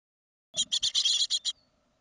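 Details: Great tit from a second brood at fledging time, 2016: a one-second burst of six harsh, hissing chirps in quick succession, then silence.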